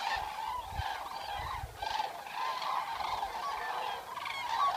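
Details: Wild Eurasian cranes during a night in the wild, a steady wall of honking, bugling calls from a group, rising and dipping in loudness, with a few low thumps in the background.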